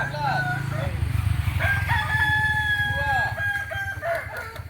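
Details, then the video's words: Kokok Balenggek rooster from Solok, West Sumatra, opening with short arched notes over a low engine-like rumble, then holding a long, flat crowing note that ends in bending syllables. "Ayam kukuak balenggek asli solok sumbar"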